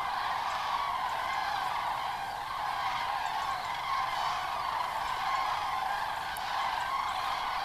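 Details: Common cranes at Kelbra reservoir, Germany, on the evening of 31 October 2015, after 17:00 at a hazy sunset: thousands fly into the nearly empty basin to roost. A continuous chorus of rolling, trumpeting, overlapping calls forms a steady wash of sound with no pauses.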